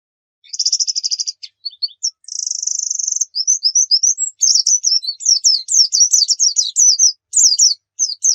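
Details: Javan white-eye song used as a lure recording to get kept birds singing eagerly: steady rapid buzzy trills near the top of the range, then a fast run of sharp downslurred twittering notes, with no other sounds.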